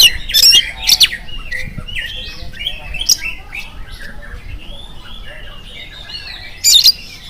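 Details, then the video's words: Oriental magpie-robin song used in the morning to coax other magpie-robins to respond. A few loud, sharp bursts open and close the passage, with softer chattering and warbled notes in between. "PANCINGAN AWAL SUARA KACER GACOR DI PAGI HARI KACER APA SAJA LANGSUNG NYAUT IKUT BUNYI"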